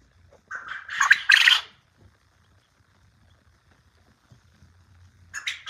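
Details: A quail crowing: a harsh, buzzy, rasping crow lasting about a second, then quiet before a second raspy call begins at the end; quail.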